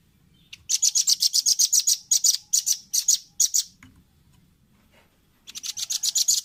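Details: Velvet-fronted nuthatch, recorded as training audio for caged birds: fast, high, ringing chip notes in repeated bursts, a pause of about two seconds, then another rapid run.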